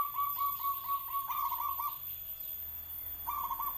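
A zebra dove gives a run of soft, rapid cooing notes that swell louder midway, pauses briefly, then starts again, over a faint steady hum.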